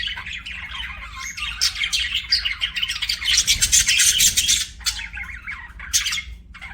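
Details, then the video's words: Budgies chirping in a lively rush of grating squeaks and warbles that peaks in the middle, then breaks into shorter bursts. "BUDGIE CHIRPING SOUNDS"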